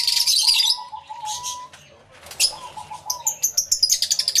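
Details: Many lovebirds in an aviary, including Yellow-collared (masked), Fischer's and Black-cheeked lovebirds, give shrill, rapid chirps and screechy notes in quick overlapping bursts, with a steady low whistle-like tone beneath; recorded with two external microphones.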